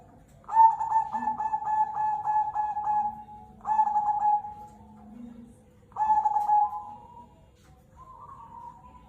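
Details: Cemani Kolbuntet zebra dove, a local bird, singing steadily: three resonant cooing phrases, each opening with a quick stuttering run of notes and ending in a long, steady, mellow coo, with quiet pauses between.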